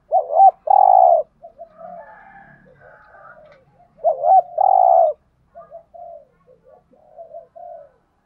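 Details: Spotted dove decoy cooing aimed at wild doves: two loud phrases about three seconds apart, each a hooked double note and a long burry coo, trailed by softer, broken, quieter coos and a faint overlapping second caller.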